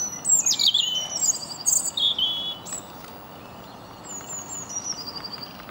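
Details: European robin singing in winter in London, UK: a thin, high, wistful phrase of quick descending slurs and trills, then a softer thin whistled line over faint background hiss.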